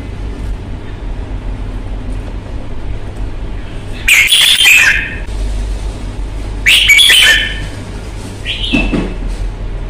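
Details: Caged red-whiskered bulbul from Vietnam, prized for its fighting temperament, utters two loud harsh whistled bursts a few seconds apart, then a short softer rising note.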